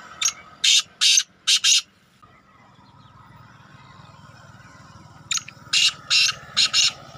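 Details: Black francolin calling beside a main road: two bursts of about five harsh, grating notes each, separated by a quiet gap of over three seconds, with a low rumble of traffic underneath throughout.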